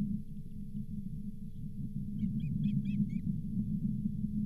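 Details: Osprey at the Charlo nest on 31 July 2023 as a lake whitefish, the day's fifth fish, is delivered. Five or six high whistled chirps come in quick succession in the middle, over constant low wind rumble and hum.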